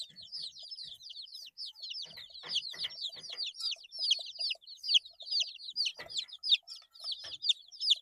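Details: Eight-day-old chicks calling nonstop, many high peeps sliding downward and overlapping, roughly two to three per second, mixed with scattered dry clicks and tapping sounds.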